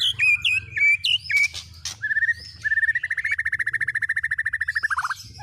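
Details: White-rumped shama fill-in song mixing cililin, canary and lovebird elements: squeaky flat whistles and chips, then a long accelerating rattled trill that slowly drops in pitch at the end.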